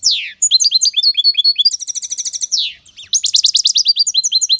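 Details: Loud singing of a European goldfinch kept as an aviary bird: rapid liquid twitters mixed with dense buzzy trills and quick downslurred sweeps, one short break before the lively high-pitched phrase resumes.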